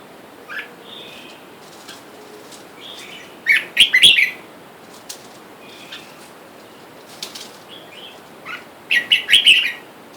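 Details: A caged pair of wild red-whiskered bulbuls, male and female, which chase and peck each other in turn, with wild birds calling for mates outside. Soft chirps lead into two loud bursts of rapid, liquid chattering phrases, separated by quieter notes and rustling.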